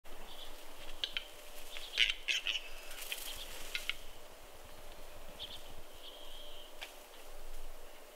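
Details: Western capercaillies fighting at a spring lek in the snow at Kuusamo, Finland, May 2021: sharp dry clicks and short raspy scraping bursts cluster around the middle, then sparse scattered knocks amid quiet natural background.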